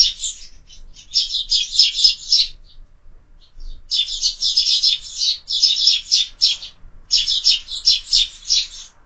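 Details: Sparrows at a window-mounted feeder in the morning, giving rapid bursts of high, dense chirps in clustered runs of about two seconds, separated by short pauses.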